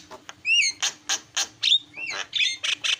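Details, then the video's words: Javan myna song, offered as a lure to get a caged myna that stopped singing to call again. Rising whistled slurs alternate with short, harsh, buzzy squawks in a quick, broken sequence. "MASTERNYA JALAK KEBO PALING MENGGODA"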